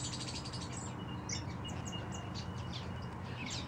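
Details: A Scarlet Honeyeater resting in an aviary gives high, thin chips and tinkling notes in quick bursts over a steady low hum, with faint twittering from other small birds.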